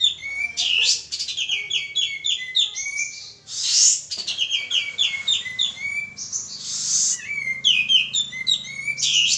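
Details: Singing male pied triller, used to draw out other birds: dense, rapid sequences of high, clipped chirps and whistles, broken by loud harsh bursts, with lower whistled notes between phrases.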